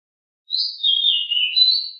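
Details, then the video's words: Decu, or pied bushchat, described as a very agile, very noisy singer in rolling song: a clear whistled phrase that dips gradually in pitch, then jumps back up to a sustained high note, on a silent background. "Sangat Ngeroll!!! DECU sangat gesit suara sangat berisik"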